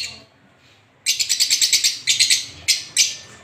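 A finch gives a rapid run of bright, high chirps, about ten quick notes in a row, followed by a few shorter bursts, with no other sounds.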